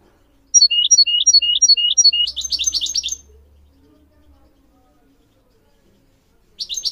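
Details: Goldfinch song used to teach goldfinch mules and a canary: spaced, descending chirped notes that run into a buzzy rapid trill, followed by silence and the start of another trill.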